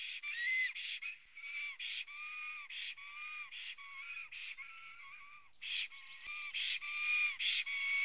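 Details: Latvian black stork calling on arrival at its nest, recorded by a webcam at 09:23 on 23 June 2017; a dense, uneven run of tonal whistles and harsher buzzy notes with short gaps, steady mid-to-high pitch.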